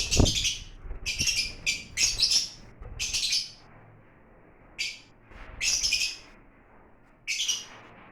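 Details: Lovebirds kept as exotic birds, calling in loud, harsh, high-pitched chirping bursts of about half a second, repeated every second or so with short pauses, over faint low rumble.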